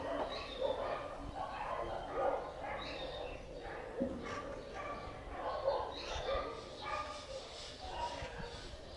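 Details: A flock of free-living parakeets (maritacas) near a house gives harsh, overlapping squawks and yelps, several each second, with a faint murmur of background noise.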